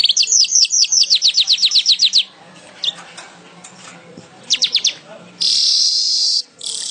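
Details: Weaver in full song, used as a tutor recording for songbirds: a fast run of sharp, descending chirps about eight per second for two seconds, a short burst of similar notes, then a loud sizzling buzz.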